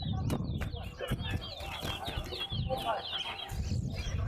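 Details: Competition towa-towa seed-finch at Betterhope ground delivering a fast chattering warble of high, slurred notes for most of the clip, while spectators talk loudly nearby.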